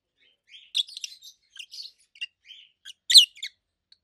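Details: Loud high chirps from a pair of pet adult peach-faced lovebirds, green opaline and pallid aqua opaline, come in short separated notes and squeaky clusters, ending with one sharp, strong squawk.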